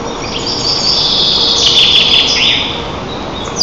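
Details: White-tailed eagles at their nest in Lower Kama National Park, Tatarstan, parents feeding eaglets breakfast, June 25, 2024: thin, high chirping notes run together rapidly under a steady hiss of wind or background noise.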